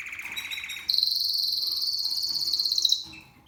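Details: Seven-month-old male Spanish Timbrado canary in discontinuo style: a lower rapid rattling trill, then a sudden jump to a high, bright, evenly pulsed ringing roll held for two seconds before fading.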